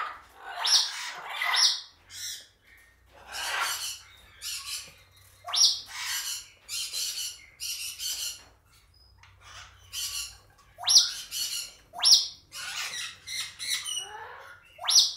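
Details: A hormonal male Congo African grey parrot, angrily attacking a cereal box, gives harsh, broadband squawks and screeches in irregular bursts, some with sharp high whistled clicks, with quieter rustling between them.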